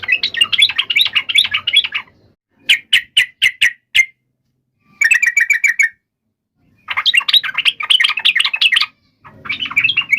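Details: Yellow-vented bulbul fighting song, played so other bulbuls reply at once: dense chattering runs alternating with crisp series of evenly spaced clipped notes, separated by short silences, all sharp and high.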